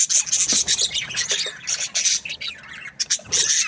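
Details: Budgies chattering in an aviary: dense, raspy, high-pitched warbling and scratchy chirps running almost continuously, with brief dips in loudness.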